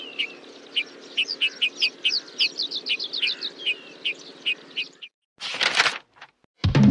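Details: A Horsfield's bush lark, a kept songbird that often sings perched on mounds or rocks and also in the air, gives a lively run of sharp, high chirps and short whistled notes at a quick, steady pace over a low hum, ending in bursts of noise.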